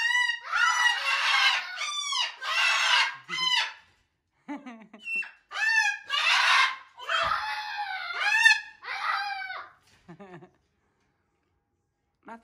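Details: A triggered Moluccan cockatoo (Cacatua moluccensis) screams loudly, with harsh, harmonic-rich screams in bursts of about a second, a few short squawks and brief human speech between, in a loudness comparison with a scarlet macaw.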